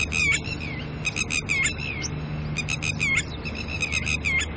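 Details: A pair of red-wattled lapwings, out early in the morning with their chicks, calls in alarm at a nearby person: sharp, harmonic notes, each sliding downward, in quick bursts of four or five, with a low steady hum behind.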